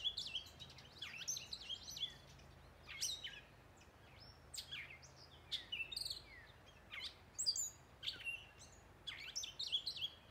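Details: Northern mockingbird (Mimus polyglottos) at dusk in woods at Wescott Preserve, Hunterdon County, New Jersey, sings a rapid, varied run of bright chirps, slurred whistles and buzzy notes, changing phrase every second or so, over faint low hum.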